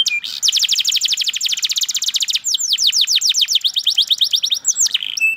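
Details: Canary song: a long, steady, rapid trill of repeated high notes, changing into slower sweeping downslurred whistles and closing with a short buzzy phrase.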